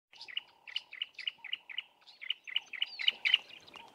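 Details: Bar-throated apalis pair duetting from low bushes; the male dominates with a deeper call. High chirped notes repeat about four times a second in two bursts, with a fainter low whistled tone beneath.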